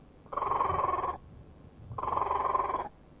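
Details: Kiwi in New Zealand forest, recorded at a site previously silent where the threatened birds are returning: two drawn-out, hoarse, rasping notes, each almost a second long with a short pause between, over a quiet low rumble.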